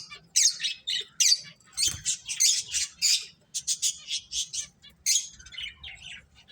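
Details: Finches chirping during play, a steady series of short high squeaky notes roughly every third of a second, with brief breaks.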